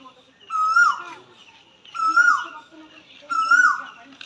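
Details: Spring song post of an Asian koel in a peepal tree by a temple, 5 April 2025: three loud, sweet rising whistles, each ending in a quick downward slide, spaced about 1.4 seconds apart, with faint bird chatter behind.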